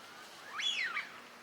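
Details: Gadwall, a winter visitor, at Junsai-ike park pond in Chiba, Japan, March 2025: a single thin whistled note about half a second long, rising sharply then sliding down, over faint background hiss.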